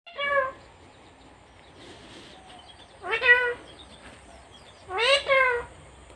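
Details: Pet talking parrot, described as a female from India that says everything, gives three nasal, harmonic-rich, speech-like utterances spaced about two seconds apart, each rising then falling in pitch, over a quiet background.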